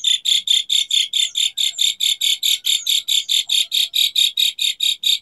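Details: Jalak suren tembakan fill: a steady run of about twenty-five short harsh buzzy notes, roughly five per second, with faint thin whistles behind.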